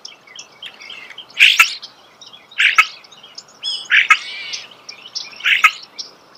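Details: Starling heard nearby outdoors, giving harsh squawky phrases roughly every one to one and a half seconds, with clicks and thin whistles filling the spaces between.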